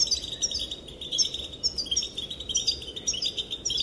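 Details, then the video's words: Loud, close twittering from a female European goldfinch, whose calls reportedly make males dance: rapid, continuous chains of high, ringing chirps and buzzy trills with barely any pause throughout. "Sounds and calls of the female goldfinch make the males dance"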